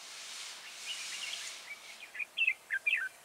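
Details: Decoy red-whiskered bulbul on a trapping outing, 30 October 2018, gives a quick phrase of clear, sharp whistled notes in the final second after a stretch of loud hissing wind noise.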